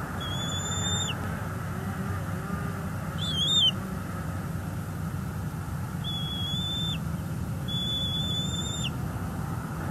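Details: Bald eagle eaglets being fed at a Florida nest by their parent: several high, thin, flat whistled notes with a short downturn at the end, spaced a few seconds apart, over steady low wind rumble.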